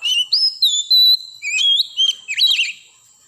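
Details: Wild forest Oriental magpie-robin singing a rich, varied phrase of sweet whistles, some level, some rising and falling, ending in a quick jumble of warbled notes that fades out.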